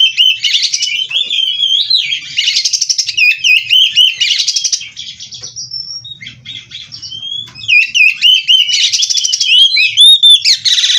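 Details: Bred oriental magpie-robin (kacer) delivering 'gacor full isian' song: long runs of rich, looping whistles alternate with buzzy, rattling bursts. A quieter patch midway is followed by a renewed loud, rapid stream of varied phrases.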